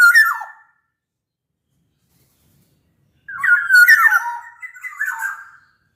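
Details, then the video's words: Sumbawa black-naped oriole giving a short slurred whistle, then a long silence before a richer phrase of fluting, downward-bending notes with a nasal quality. "Kepodang Lokal Gacor Suara Buat Pancingan Burung Kepodang Agar Bunyi"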